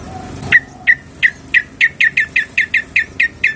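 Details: Female sooty-headed bulbul calling to the male, giving sharp, downslurred chips repeated about three times a second in a steady series over faint low background noise.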